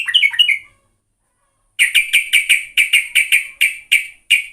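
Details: Sooty-headed bulbul lure sound: a short chattering phrase, a second of quiet, then a steady series of loud, sharp chips, roughly three per second.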